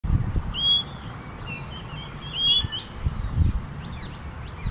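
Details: ['Common green magpie giving two harsh, harmonic-rich whistled calls, each about a third of a second long and roughly two seconds apart. Softer twittering from other birds and low rumbling background noise run underneath.']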